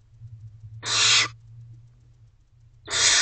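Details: Barn owl owlets at night in a nest box, 3 May 2023, one eating a mouse while siblings hold back; two strong noisy hisses about two seconds apart, each roughly half a second long, low background hum.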